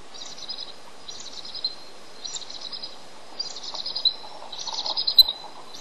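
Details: Restless male bald eagle on an incubation shift calling for his absent mate; roughly one piping burst per second, high thin squeals that grow louder and longer toward the end, over faint hiss.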